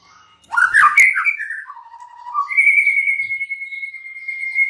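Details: White-rumped shama singing: a loud burst of sharp twittering notes, then a low warbled phrase, ending in a long, steady, high whistled note held for nearly two seconds.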